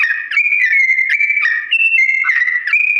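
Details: Sooty-headed bulbul's slow-tempo ropel song for teaching imitation: clear, pure whistles held briefly, alternating between higher and lower steps, about four notes per second and unbroken.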